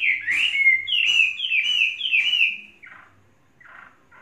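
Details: A three-season tame Chinese hwamei sings four bright, falling whistled phrases in steady rhythm, then trails off into a few soft, quieter notes.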